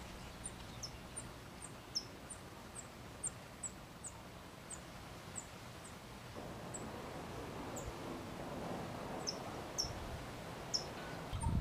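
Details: A California towhee hatchling, a newborn in its first few hours out of the nest with parents nearby, gives very high, thin chips, quick at first, then spaced further apart, over a steady rushing background hiss.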